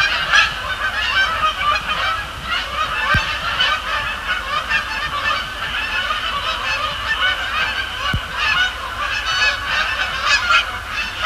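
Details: Sapsucker Woods Pond at night, with Canada geese flying over and landing; an unbroken, busy chorus of honks from a large flock lasting throughout, two sharp clicks standing out.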